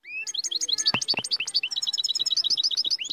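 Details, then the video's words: Moroccan royal goldfinch in full song, with a fast, steady stream of bright, liquid twitters and chirps, and two sharp clicks near the start. "الحسون الملكي المغربي - Chardonneret Royal Marocain"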